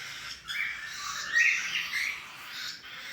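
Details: Cockatiel chicks give harsh, raspy, hissing calls that run together almost without pause.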